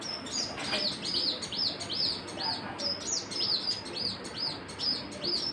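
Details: Repeated high chirping from birds, quick arched notes about two or three per second, slightly irregular, with soft low background noise.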